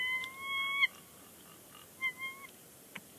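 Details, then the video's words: On the Big Bear Lake nest on 30 January 2020, a bald eagle pair calls before leaving; one clear, steady whistled note followed by a shorter, softer one about a second later. "Big Bear Lake eagles; chatter on the nest."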